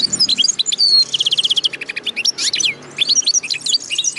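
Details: Song of a linnet x canary hybrid: brisk high twittering with a rolling trill of evenly repeated notes, short buzzy bursts and sharp chips in quick succession.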